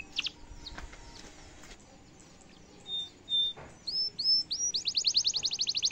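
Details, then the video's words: Domestic canary singing a showy cengkok mewah song used to tutor young and adult canaries; faint scattered notes give way to upswept whistles and then a fast rattling trill of rising notes. "kenari gacor cengkok mewah bikin lawan langsung nyaut dan efektif buat masteran kenari paund"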